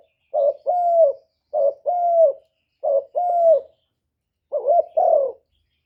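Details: Spotted dove cooing as a lure for wild doves: four two-part phrases, a short clipped coo then a drawn-out rolling coo, the last phrase slightly broken, with clean silence between.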